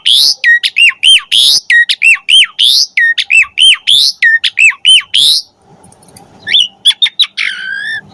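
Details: Asian pied starling repeating a loud two-part phrase, a high buzzy note dropping into a whistle, about every half second, then a pause and a few scattered chirps. Intended for training caged starlings to sing.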